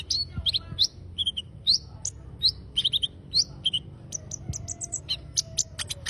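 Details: Songbird delivering lively high twittering, paired chirps and short rising whistles in quick succession, ending in a fast run of sharp ticking notes; low hum underneath.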